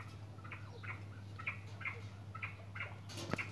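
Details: Barbary partridge (Alectoris barbara) call: short, harsh, repeated notes about two per second over a steady low hum, ending with a sharp knock.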